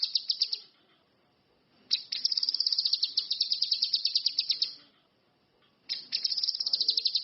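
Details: Actively singing orange-headed thrush delivering three bursts of rapid, high, pulsed chattering trills, the middle one lasting about three seconds, separated by short silences.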